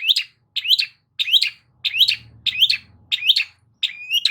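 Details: Long-tailed shrike song meant to make a silent shrike reply: a rising, buzzy, whistled phrase repeated about every 0.6 seconds, seven times, with a faint low hum in the middle.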